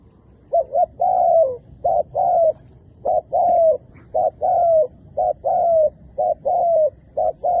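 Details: Decoy dove calling wild doves down to the ground, drawing both males and females. Low cooing phrases of two short notes and a longer falling note repeat steadily, about one phrase a second, against a quiet background.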